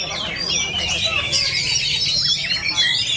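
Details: Oriental magpie-robin at a bird-song competition practice at Lapangan Effenta, Jambi, Indonesia, Friday 23 December: a dense, fast run of high whistles, squawky notes and chattering phrases without pause, possibly with other birds calling alongside.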